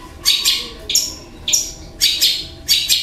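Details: Harsh, squawking bursts from a kept long-tailed shrike copying other birds, such as kingfisher and fighting sparrows. Five loud, raspy notes arrive about every half second, each with a scratchy, high-pitched edge.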